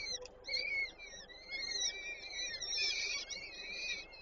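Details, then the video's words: At a Warsaw Żerań peregrine falcon nest on 8 May 2023, the female feeds chicks. Thin, drawn-out squealing calls, some rising and falling, follow closely one after another. "Warszawa Żerań - Nela karmi pisklęta 8 05 2023 sokoły wędrowne"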